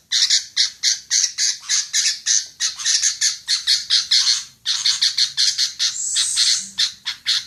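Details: A female sooty-headed bulbul chatters continuously in hoarse, buzzy notes, with a short break midway and a sliding whistled note toward the end.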